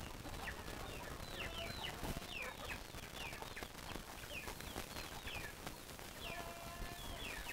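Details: A flock of chickens called with their favourite food gives many short, high, down-slurred chirps and squawks, overlapping several times a second, over steady rustling, scratching and background noise.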